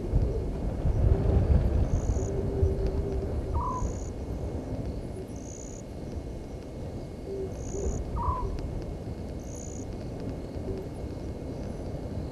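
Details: Night recording, 00:40 on 17 November 2019, of a Southern white-faced owl at Gowrie dam, Djuma Game Reserve, South Africa; two short downward-bending hoots spaced about four seconds, with a steady high insect chirp every second and a low rumbling backdrop.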